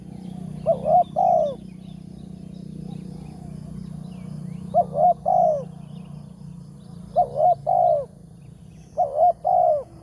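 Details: At a morning trapping site with a lure bird, a spotted dove repeats its three-note coo phrase four times, roughly every two to three seconds, the final note of each longest and falling; steady low background rumble.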